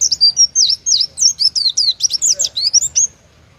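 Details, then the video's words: Oriental white-eye, a caged competition bird, singing the full rapid song favoured by judges: a fast string of high, sweet, slurred whistled notes, rising and falling, packed closely for about three seconds, then silence. "Burung pleci gacor, tembakan paling di sukai para juri❗oriental white-eye/gacor pleci bird"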